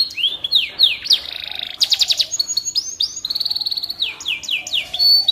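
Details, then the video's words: Canary song used as tutor audio for white-rumped shamas: varied high phrases of quick downslurred whistles, a buzzy rapid trill near two seconds, and bright chattering notes, flowing continuously with no pauses. "Suara Burung Kenari"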